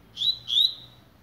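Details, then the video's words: Double-collared seedeater beginning to warm up, giving two short, high, slightly rising whistled notes about a quarter second apart in an otherwise quiet setting. "COLEIRO BLADE COMEÇANDO ESQUENTAR"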